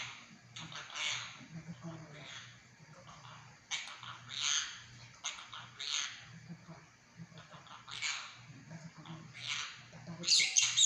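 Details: Pet monk parakeet that mimics Chinese speech, chattering in quick bursts of scratchy, speech-like syllables for about eleven seconds, ending with a sharp shriek; steady low hum in the room.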